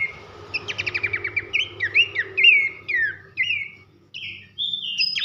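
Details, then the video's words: Loud whistled song of Abbott's babbler used to train contest birds: a fast rattling trill of about a dozen clicks, then a run of sweet downslurred whistles, a short silence and two more high slurred notes. "masteran nembak nyiul keras khas pelanduk semak"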